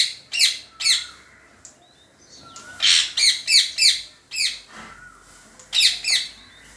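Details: Parrot making funny noises: short squeaky chirps and clipped squawks in uneven groups, with a thin whistled note slipping in between bursts.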